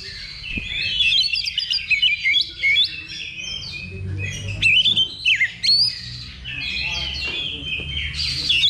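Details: Caged Oriental magpie-robins (kacer) in a practice simulation of a level-two bird-song contest, pouring out rich varied whistles, rapid trills and swooping notes in short bursts, with other singers crowding the background.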